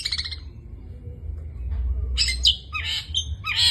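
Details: Long-tailed shrike in full 'isian' song: a short chattering burst, a quiet gap, then harsh squawky and rasping notes in quick succession over a low background hum.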